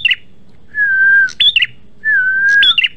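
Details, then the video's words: Red-headed prinia (prenjak merah) singing actively in a lure recording: two phrases, each a steady whistled note followed by sharp, high, upward-flicking chips and short buzzy notes, with a faint low background hum. "PANCINGAN MASTERAN PRENJAK MERAH GACOR"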